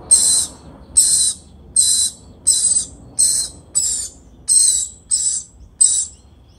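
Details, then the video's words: A lorikeet feeding a baby gives harsh, shrill, rasping screeches, about nine short bursts in quick succession, each under half a second, against a quiet background. "Lorikeet feeding baby"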